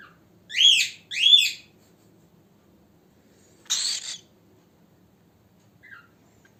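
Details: Cockatiel sounds meant to cheer a pet cockatiel and get it singing: two loud, rising-falling screechy calls about half a second apart, then a rough noisy burst, with a faint short chirp afterwards in a quiet room.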